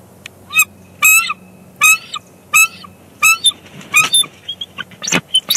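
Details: Bald eagle pair at their Big Bear Lake nest on 1 March 2021, calling to each other during a nest shift change, when the male brings the female a fish. About seven loud, squeaky, harmonic chirping bursts sound over a steady low hum.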